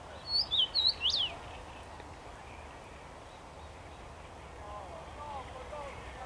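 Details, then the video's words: Singing in a tree on 23 May 2021, a common rosefinch gives a quick whistled phrase of four or five sliding notes at the start, followed by steady background rumble and faint low chirps. "Dziwonia śpiewa na drzewie."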